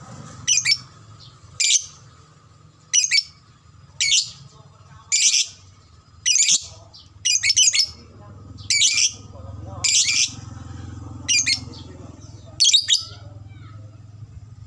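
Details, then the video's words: Lovebird chattering aimed at getting fighter lovebirds to ngekek quickly: harsh, shrill, squawky bursts repeated roughly once a second, each a short scratchy cluster of high notes, with a low rumble of background noise throughout. "SUARA BURUNG LOVEBRID TERCEPAT, bikin cepat respon ngekek"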